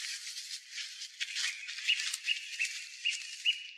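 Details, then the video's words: Song thrush singing from the top of a tall pine near a former railway crossing, early evening (around 6–7 pm), 3 April 2023: harsh, scratchy, rattling notes broken by brief high whistled pips about every half second. "Выступление с высокой трибуны певчего дрозда"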